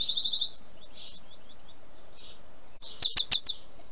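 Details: Wren singing at a rose arch: a rapid trill of high, even notes at the start, a brief upslurred note, then a pause and a short burst of four loud sharp notes near the end; no other clear sounds.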